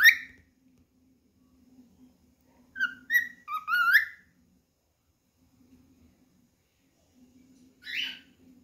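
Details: Singing cockatiel looking for a companion to play with: an opening loud whistle, then a cluster of quick warbled, upslurred whistles, a long pause, and one more harsh whistled note, over a soft steady hum.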